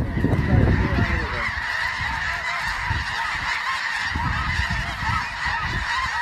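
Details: Snow geese in a large flock, a dense steady wall of overlapping high honks and yelps with no gaps, over heavy low rumbling wind noise.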